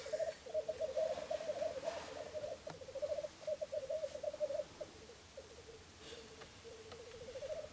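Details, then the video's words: Black grouse lek in Florarna, three cocks displaying at dawn on 17 April 2013 near the Filsartrusket hide; loud bubbling rolling coo phrases, a couple of seconds each, fading briefly then starting up again. "Orrspel i Florarna"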